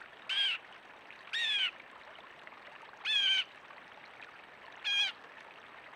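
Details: A backyard blue jay gives harsh, nasal squawks, five in six seconds at uneven intervals, over a steady background hiss like running water.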